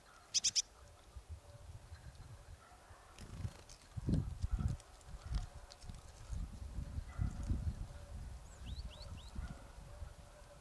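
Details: Marsh tit at Kawęczyn near Nowy Korczyn, Poland: a quick burst of three sharp, high chipping notes at the start, then faint thin rising notes near the end, over low rustling and thumping noise.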